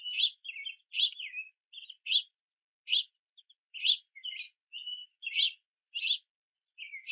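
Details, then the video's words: Several young house finches perched near a platform feeder in the rain, chirping and wing-flapping to beg food from parents; rapid series of bright, high chirps roughly every half second, interspersed with buzzy slurred notes. "Multiple Young House Finches In The Rain Begging For Food at The Feeder"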